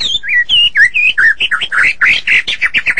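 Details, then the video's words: White-rumped shama in morning song, delivering quick varied whistled notes, some swooping down and others bending up, in a lively run that grows denser and more regular toward the end. "Nghe chim chích chòe lửa hót hay mỗi sáng"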